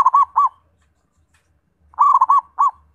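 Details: Two zebra dove phrases, one at the start and one near the end: brisk strings of soft, round coos with a slight stutter, separated by a long silence.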